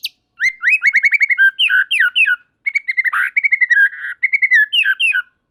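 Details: Murai batu, the white-rumped shama, in full song with other shamas joining in: loud, clear whistled notes repeated in quick rhythmic bursts, varied phrases with slurred rising and falling elements, brief gaps between runs.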